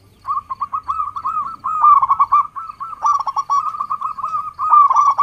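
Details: Zebra dove of the local type singing continuously, a fast run of bubbling, trilled coos at steady pitch. The song is used to lure and trigger other doves into singing.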